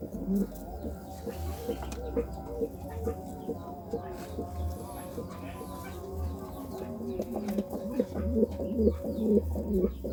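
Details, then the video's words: Pigeons courting, several crooning at once in low, throaty, bubbling coos that overlap without pause, with a deep hum running underneath. "Suara Burung Merpati merayu"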